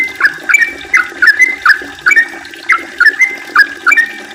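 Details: Yellow-vented bulbul singing a long 'ropel' lure song used to prompt other bulbuls to call: crisp, liquid chirruping phrases repeated at a brisk, even pace, about two notes a second, in otherwise clean surroundings.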